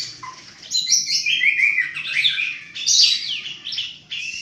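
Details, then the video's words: White-rumped shama singing energetically with strange sounds: a rich run of varied whistles, slurred notes and rapid trills, loud and continuous with brief pauses. "MURAI BANTEN GILA NEMBAK NEMBAK SUARA ANEH"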